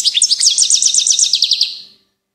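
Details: Goldfinch singing a continuous run of fast, high, liquid twittering notes, each a quick down-slurred chirp repeated about eight times a second, fading out after two seconds.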